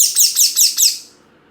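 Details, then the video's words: Parrot chirping: four quick, very high, downward-sweeping chirps in a steady run about every fifth of a second, then quiet, in a small indoor space. "Parrot chirping sound|NATURAL PARROT SOUND"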